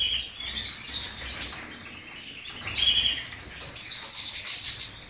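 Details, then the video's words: A European goldfinch sings a rapid, high twittering medley of tinkling notes, short whistles and buzzy trills, with brief ringing tones and louder passages toward the close. "cardellini chardonnert jilguero stiglic"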